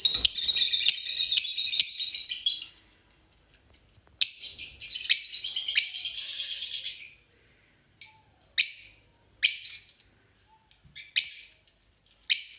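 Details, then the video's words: Fischer's lovebirds giving a busy run of shrill, rapid twittering notes, then isolated sharp high chirps spaced by brief pauses. "تغريد طيور فيشر"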